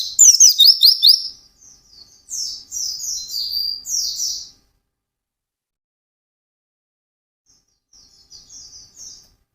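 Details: Caged white-eye singing intensely in the fast 'ngalas' style: rapid bursts of high, thin, slurred whistled notes, dense chattering for about four seconds, then a pause and a brief softer phrase.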